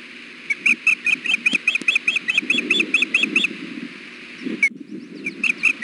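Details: Female osprey fussing to be fed at the Hellgate nest on a 93-degree June afternoon in 2016, with the male present. Quick rhythmic piping whistles, roughly two per second, over faint low rumbling background.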